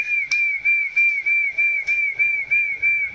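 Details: Chinese hwamei heard close, singing short of full intensity: one clear whistled note repeated steadily about three times a second, with faint clicks behind.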